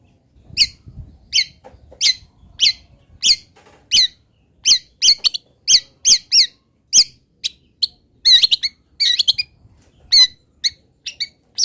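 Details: Local long-tailed shrike from Pati, recorded as a tutoring master of its essential song fill: sharp, high squeaky notes repeated about every two-thirds of a second, becoming denser with doubled notes near the end; faint low rumble early on.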